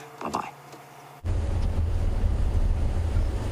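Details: A brief spoken voice followed by loud, steady low wind and engine-like rumble, with no animal calls.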